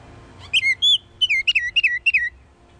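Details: Baltimore orioles at grape jelly feeders in southeast Kansas on 9 May 2019; a quick run of about ten clear whistled notes, most slurring downward, over a faint steady low hum.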